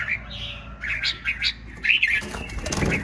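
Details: Red-whiskered bulbul, caught from the wild and caged one week, giving short bright chirped and warbled notes in quick bursts, mixed with wing-flapping and rustling inside a cage.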